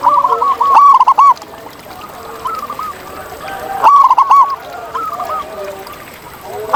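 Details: Two rolling, bubbling coo phrases from a wild zebra dove stand out, about three seconds apart. Several fainter doves keep up cooing in the background.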